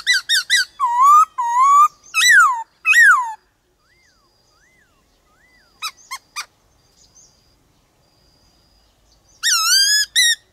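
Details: Black-throated laughingthrush song in a voice-switching style meant to excite other birds: bursts of rich, rising whistles and quick clipped notes, broken by quiet gaps with faint soft hoots, then a final loud phrase.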